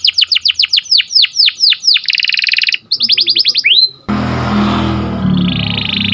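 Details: Canary singing in the morning: quick series of bright sweeping notes, then a buzzy rolled trill and more rapid sweeps, after which the song gives way to a loud broad rushing noise for the last two seconds.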